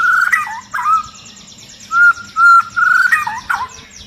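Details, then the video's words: Long-tailed white-rumped shama, agitated, giving a string of clear, fluty whistles, some steady and some with quick upward flicks, interspersed with sharp high ticks. "Murai Batu Ekor Panjang Ngamuk Dan Bikin Burung Murai Lain ikut Gacor !!!"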